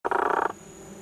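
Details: Squirrel cuckoo (Piaya cayana macroura) at Iguazú National Park, Misiones, Argentina, May 2018, giving a single harsh, rasping note, rapidly pulsed and lasting about half a second, followed by faint background hiss.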